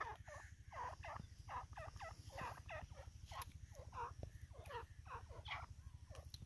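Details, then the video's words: An Iranian francolin gives harsh, clucking notes in a fast, uneven series, about one every half second, over a steady low mechanical hum. "Irani Teetar ki Awaz"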